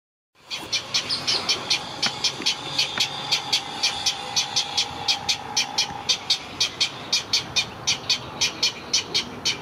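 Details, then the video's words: Great egret chicks at Gatorland, April 15, 2021, begging while a parent feeds them: rapid, regular series of sharp clicking, ticking notes, nearly two per second, with a steady tonal hum in the background. "Great Egret Feeding Chicks"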